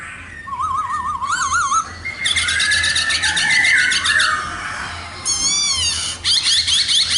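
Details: Black laughingthrush (khướu mun) in full song: wavering warbled whistles, dense rapid buzzy trills, and downward-sweeping whistled notes, loud and continuous.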